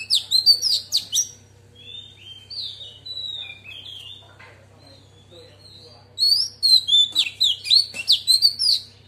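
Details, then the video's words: Female Oriental magpie-robin delivers wild-voice song to arouse males, opening with loud rapid chirps, then softer warbled whistles, and a second dense burst of sharp repeated notes, with a low hum beneath. "Choè than mái hót giọng rừng kích trống căng đét"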